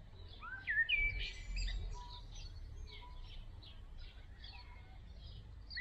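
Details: Nestling great tits in a nest box during an evening feeding visit: a couple of bright whistled notes early, then many short, high chirps repeated in quick succession over a low rumbling background.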